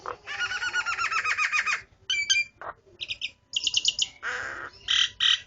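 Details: Starling singing a mix of rattling buzzy phrases, short chirped clusters and a harsh rasping burst, high-pitched and busy, with brief gaps between parts.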